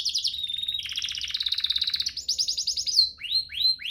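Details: Canary singing a master training song meant to make caged canaries sing eagerly: rapid high trills shifting into sustained buzzy rolls, then repeated downward-sweeping whistled notes.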